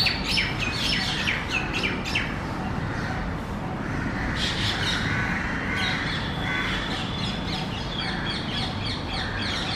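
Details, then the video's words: Common myna giving varied calls, a run of sharp chirps and squawks repeated rapidly, against constant broadband outdoor noise with other chattering birds. "Different sounds of Common myna"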